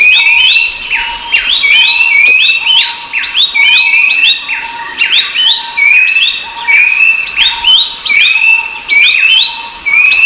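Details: Rufous-browed babbler (Pellorneum capistratum) in a busy chorus: slowly rising thin whistles repeated roughly every second over ten seconds, overlapping many sharp curved chirps and a continuous high insect-like hiss.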